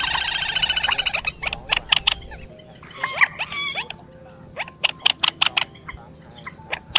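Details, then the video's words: Quốc biển and trích ré, two birds calling, played as a lure for night net trapping during the March 2024 bird migration season. A rapid harmonic rattle opens, then come sharp clipped notes and short rising whistled slurs in irregular bursts. "Tiếng Quốc Biển , Trích Ré 2 Con Kêu"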